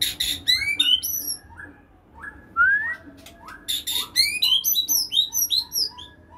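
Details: White-rumped shama in excited, aggressive song provoked by a rival: rapid bursts of varied high whistles, sweeping slurred notes and buzzy rattles, pausing briefly mid-way before another dense burst.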